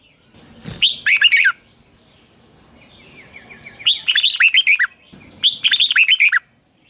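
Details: Red-whiskered bulbul morning song in the long double twisting style (giọng kép xoắn dài), recorded in 2020 as a lure for training birds: three bursts of rapid, rich warbled notes, separated by quiet pauses with faint thin whistles.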